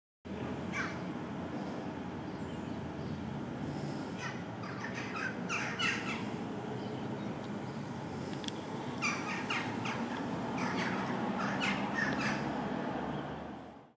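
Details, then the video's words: On 8 August 2019, a flock of jackdaws in a tree, including a young bird of about four months, calls together with short sharp 'tchak' notes tumbling in bursts, over a low rumble of wind or distant traffic. "Concert choucas"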